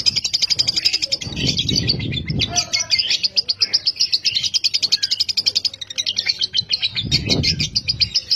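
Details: Fighter lovebird in a long ngekek, a lure recording for training lovebirds to sing: continuous shrill chattering at about four notes a second, with a few low thumps and rustles underneath.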